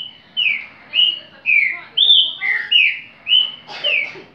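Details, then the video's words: Repetidor-style song of a green-winged saltator: a steady string of rich whistled notes, mostly short downward slides, delivered roughly twice per second with small pitch jumps between them, with near silence behind. "TRINCA FERRO REPETIDOR"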